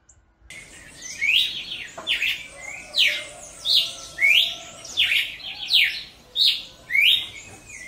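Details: Cardinal of the genus Paroaria singing outdoors in nature: loud, clear downslurred whistled notes repeated about every 0.7 seconds in a steady series after a brief quiet start, with faint background chirps.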